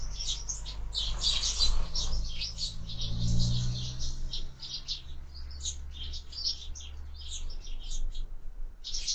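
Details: Sparrows feeding at feeders mounted on a window, giving dense overlapping high chirps and tweets almost continuously, with a low steady hum underneath.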